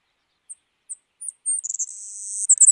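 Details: Belding's Savannah Sparrow, a resident coastal salt-marsh subspecies in Santa Barbara County, sings four thin, very high chips, then a long, insect-like buzzy trill ending in sharp accented notes.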